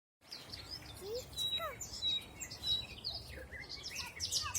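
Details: Spring 2020 birdsong in a forest: several birds overlap with high thin whistles, short rising and falling slurs and scattered chirps over a steady background hiss.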